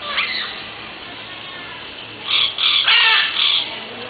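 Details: Yellow-rumped cacique giving a short burst of harsh, raspy, noisy calls, several grating notes in quick succession after a quiet stretch of low background hiss.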